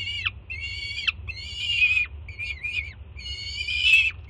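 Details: Young peregrine falcon greeting the adult female with breakfast at a Jersey City nest in June; long grating screams sliding down at the close, one harsher and noisier, spaced unevenly, with a faint low hum throughout.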